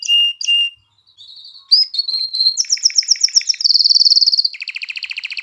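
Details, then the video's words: Canary singing to stimulate females to breed and encourage chicks to sing: two short steady whistles, a pause, then changing sections of rapid chips, a fast bright high trill and a lower pulsed buzzy roll. "تغريد كناري نار لتهييج الإناث على التزاوج وتحفيز الفراخ على التغريد"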